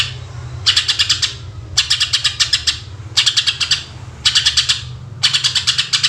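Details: Greater green leafbird giving rapid 'tembakan' song, recorded as a lure for other birds: five regular bursts of fast, sharp, buzzy pulses, each under a second long, separated by short pauses, with a low hum underneath.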